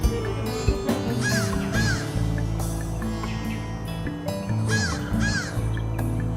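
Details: Crows perched high in a tree, busy cleaning themselves, give harsh cawing calls in short bursts, a few spaced through the clip, over steady background music and a man's voice.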